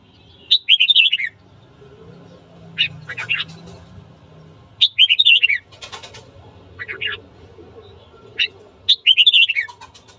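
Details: Red-whiskered bulbul morning song for sparking fights: three warbled, downward-sliding phrases, interspersed with shorter sharp chirps and clicks, over a continuous low hum.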